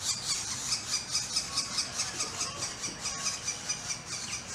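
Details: Northern flicker chicks, one turning on its brother after the latter got most of the food: a steady rasping, buzzy chorus pulsing about twice a second, high-pitched and continuous, with low rumbling in the background.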